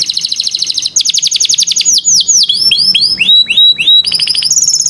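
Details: Young-canary training song from an adult canary: a fast buzzy trill opens, followed by rising then falling slurred whistles repeated in series and ending with high rapid chips.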